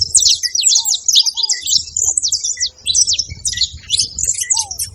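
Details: Saffron finch making noise: dense, rapid series of sharp, very high chirps and short downslurred ticks, almost continuous, with occasional soft lower slurred whistles and faint low background rumble.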